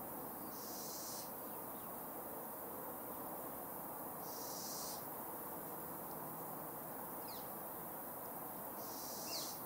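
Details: Fledgling little owl repeating a wheezy, airy hiss three times at intervals of about four seconds, with a couple of faint thin chirps in between and a steady low hum underneath.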